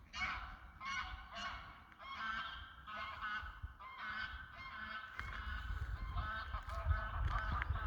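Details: Several greylag geese calling in a rapid, overlapping run of brassy, nasal honks, around ten calls in eight seconds, while rumbling wind or handling noise grows louder toward the end.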